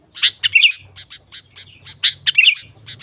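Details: Lively sooty-headed bulbul vocalising, a recording used to call wild bulbuls and train caged ones: short bright chirps and a couple of warbled twittery notes in quick uneven succession over a soft low hum.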